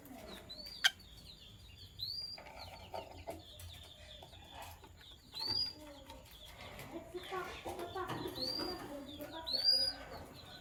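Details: Sky blue opaline and green opaline lovebirds in the morning: sharp, high, upswept chirps repeat in short bursts over a murmur of lower calls, with loud accents near the start and end.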